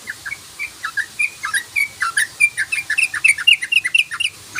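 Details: Sooty-headed bulbul, known locally as trucukan, in a rapid ropel lure song: a continuous string of short liquid chirping whistles, quickening to about four per second.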